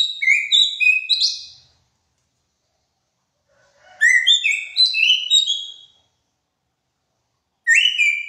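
Hair-crested drongo song: bursts of loud, varied whistles and chirps about two seconds long, separated by silent pauses, with no other sounds.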